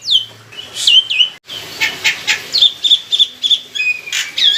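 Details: Black-winged myna kept as a songbird and used as a lure: whistled falling slurs at the start, then quieter scratchy notes and clipped chirps, with whistles returning at the end.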